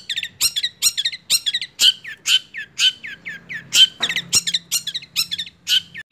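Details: Long-tailed shrike aged six months, a caged songbird, pouring out a varied run of scratchy chattering phrases and downward-curling whistles, with sharp harsh bursts; faint low hum behind.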